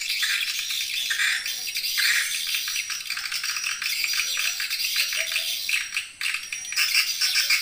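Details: Swiftlet lure sound for attracting edible-nest swiftlets: unbroken, buzzy, rattling chatter of fast clicks and high chirps with little pause, briefly dipping near the end.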